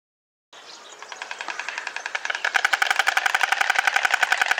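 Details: A White Stork (Ciconia ciconia) recorded in the wild clatters its bill in a dry, wooden rattle that starts soft and quickens into loud, rapid knocking, about eight or nine per second.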